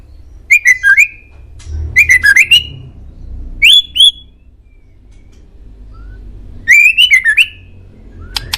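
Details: White-rumped shama song, played as a master recording to make pet birds answer: loud, bright whistled phrases of quick rising and falling notes, delivered in bursts every one to three seconds over a quiet background.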